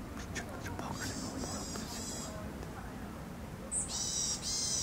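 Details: Eurasian sparrowhawk during the 2021 breeding season, after mating was seen in mid-April; faint scratchy notes at first, then a sharp high note and a loud rasping call near the end.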